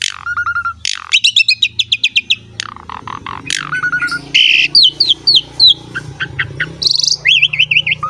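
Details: Asian pied starling singing in lively 'gacor mompa' style, meant to prompt young and reluctant starlings to sing: varied mix of rapid chattering notes, harsh buzzy bursts and looping whistled slurs, with a faint low hum beneath.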